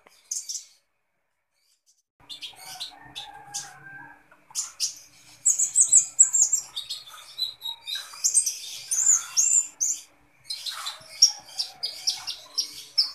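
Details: Sunbird called kolibri ninja singing steadily: after a short quiet start, scattered high chips grow into long, rapid, needle-thin twittering phrases with brief pauses.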